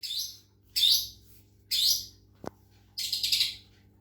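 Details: White-rumped shama (murai batu) from Medan, kept with a water-sound therapy meant to make it sing vigorously; harsh, scratchy high chattering bursts of about half a second each, spaced by short pauses, with one sharp click.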